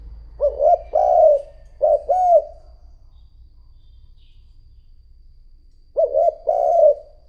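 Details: Spotted dove decoy cooing to attract wild doves: two low, rounded two-part phrases in quick succession, then a pause of about three seconds before another phrase, in a quiet background.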